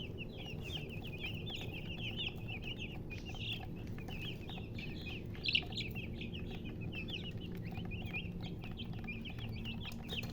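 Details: Chickens chirping: a dense, continuous stream of short high peeps from several birds, rapid and overlapping, over a steady low rumbling background noise.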